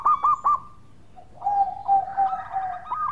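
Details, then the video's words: Local zebra dove in active, sweet-voiced song, used as a lure recording. Three clipped hooked coos open, then a pause, then a long lower trilling coo that rises into further notes. "Pancingan Perkutut Lokal Gacor Suara Merdu"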